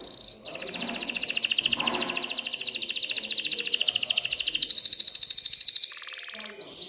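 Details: Excited canary in breeding song meant to stimulate females to mate and nest-build, delivering one long, unbroken, high-pitched rapid trill lasting about five seconds, ending with a soft fade and a brief upward note.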